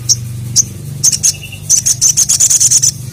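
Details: A crested jay calls to challenge a rival, giving a few separate high chips, then a quick run of sharp metallic notes that builds into an even, rapid rattle before stopping abruptly.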